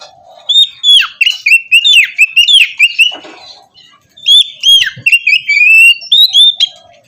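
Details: White-rumped shama in morning song, used to spur a lazy bird into singing: two bursts of rich warbled phrases with sharp slurred whistles and crisp clicks, faint low chatter beneath.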